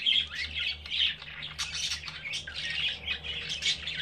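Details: Young budgerigars on day five after hatching, the third chick newly out of its egg; an almost unbroken stream of shrill, scratchy squeaks pulsing a little over once a second.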